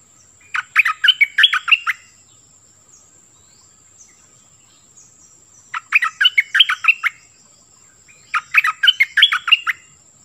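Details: Oriental magpie-robin giving a clear song of many phrases: three dense bursts of fast, varied chirps and whistles, each lasting about one to two seconds, separated by long quiet gaps.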